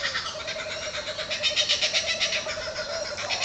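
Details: Laughing kookaburras in trees call in full chorus. Harsh, rolling chuckles pulse about four times a second in a raucous, ragged cackle over a faint steady hum.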